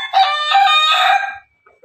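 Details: A loud crow of just over a second from Pelung and Ketawa chickens kept together, wavering and harmonic-rich, fading out and followed by faint soft calls.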